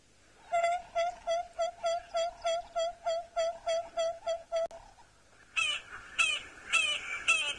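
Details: Acacia pied barbet common call, played back to see whether a bird in a fruiting jackalberry tree would answer; about fourteen evenly spaced nasal, honking notes roughly twice a second, followed by several harsher, buzzy notes.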